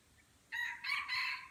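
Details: In a crowing contest at Kuta Malaka, Aceh, a red junglefowl gives a three-part crow: a rough opening note, then two longer buzzy sections with a slight break between them. It sounds somewhat distant over a quiet, hissy background.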